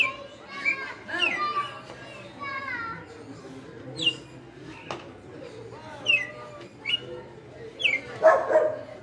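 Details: Açoite song from a captive red-cowled cardinal kept five years: clusters of slurred whistles, some descending and some gently rising, with brief bright notes recurring every second or two and a burst of noise near the end.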